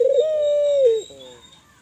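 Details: Spotted dove, a Kelantan tekukur in full voice, calling to stimulate other doves to call: one drawn-out, steady, mid-pitched coo lasting about a second, then a soft fading tail.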